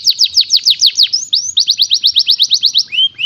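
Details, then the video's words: Canary delivering a fast, regular trill of high down-slurred notes, interrupted by rising whistled sweeps, then another steady trill ending in two upward-curving whistles. "NAGA BONAR Kenari FABA SF"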